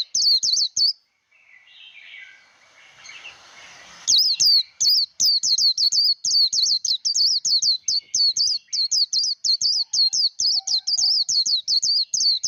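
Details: Caged Japanese white-eye in voice training, singing in the competition style called líu đấu: bright, high, rapid twittering notes repeated in a long, fast run, after an opening burst and a short pause filled with faint rustling.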